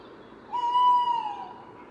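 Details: A Tawny Owl, apparently a hooting male, gives a single long, steady hooting note lasting about a second, slightly wavering and dropping at the end, over faint background hiss.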